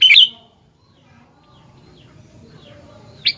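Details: Sooty-headed bulbul opening with one brief, loud burst of bubbling whistled notes, followed by quiet low background noise, and a new phrase just starting at the close.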